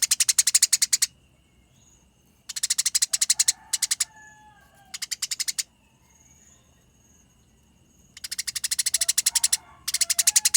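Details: Combative Eurasian tree sparrows give clear rolling chatter. Fast, buzzy chirp strings last one to two seconds each and are separated by silent gaps, with faint soft notes in the pauses.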